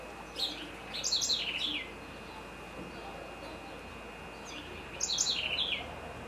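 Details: Great kiskadee (Pitangus sulphuratus) calling in Florianópolis, Santa Catarina, Brazil: two loud, bright bursts about four seconds apart, each a quick run of three or four falling, slurred notes, over a steady high hum.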